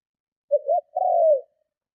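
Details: One complete coo from a spotted dove calling to lure and provoke other doves: a brief double note, then a sustained, gently falling coo lasting about half a second, nothing else audible.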